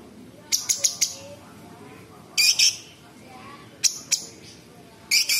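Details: Cucak cungkok bulbul in full voice with varied, sharp tembakan imitations. Short clusters of two to four loud, high, harsh chips are spaced a second or more apart over a quiet background.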